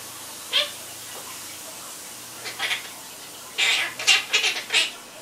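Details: Chatty pet quaker parrot producing a brief squeaky note, a couple of soft raspy calls, then a quick run of four or five short, scratchy, high chattering bursts toward the end over a quiet electrical hum.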